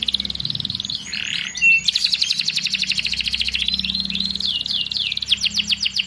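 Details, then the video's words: Canary song aimed at stirring stalled young canaries: rippling fast trills broken by short twittering phrases and slurred whistles, continuous and lively, with a low hum underneath. "kenari paud kenari macet langsung gacor"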